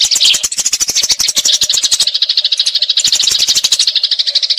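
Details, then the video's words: A fighting Eurasian tree sparrow gives a rolling chatter for training magpie robins: fast chirps with loud clicking rattles at the start, then a cleaner, steady chatter. "Gereja Tarung Ngeroll Abis"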